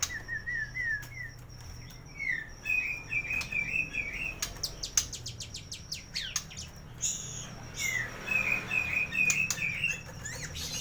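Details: White-rumped shama song for training silent birds to sing, with full filler phrases: rapid strings of short whistled notes and sharp clicks over a steady low hum and background hiss.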